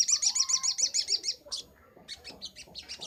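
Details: Sunbird song recorded as a training master: a rapid run of high, even chips at about three or four per second, a short gap, then scattered fast twittering notes.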